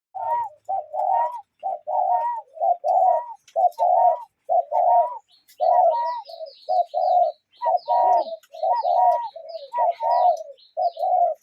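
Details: Cuckoos calling in nature, with low paired hoots repeated about once a second. Several birds overlap throughout, and a higher fluting note sometimes rides above the hoots. A soft high chirping joins in the second half.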